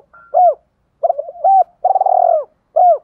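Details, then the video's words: A decoy spotted dove cooing in the morning to call in wild doves; an arched opening coo, a wavering middle note, a long rolling coo that slides down, then a final arched coo, background silent. "chim cu mồi gáy gọi bổi buổi sáng"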